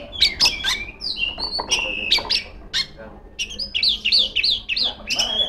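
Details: Female Oriental magpie-robin, singing without pause to provoke rivals, delivers sharp clicks and short whistled notes, then a fast series of repeated rising-falling whistles and a final steady whistle.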